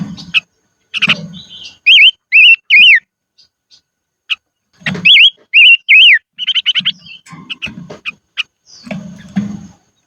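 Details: Singing decoy silver-eared mesia in the highlands, delivering bursts of three or four wavering whistled notes, mixed with sharp clicks, a rapid chattering run and low thumping handling noises.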